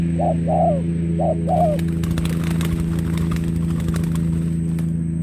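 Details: Spotted dove used as a trapping lure in Cà Mau, Vietnam, on 21 February 2024. Two paired coos, each a short note and then a longer, falling one, come in the first two seconds. Crackling noise and a steady low hum follow.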